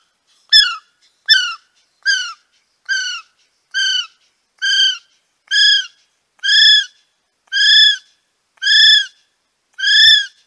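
Kiwi: eleven shrill, slightly rising whistled notes, roughly one per second, growing longer and louder through the sequence. No other sounds are heard.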